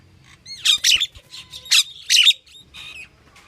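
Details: Pied myna calling with loud, grating squawks in two close pairs, interleaved with short whistled upward notes. Little background noise.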